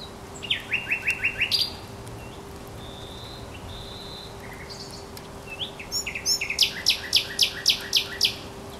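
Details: Thrush nightingale singing by the Żerań Canal, Poland, on 24 April 2022: rapid series of repeated clicking, rattling notes in bursts near the start and end, with a few pure whistles between, over steady background hum.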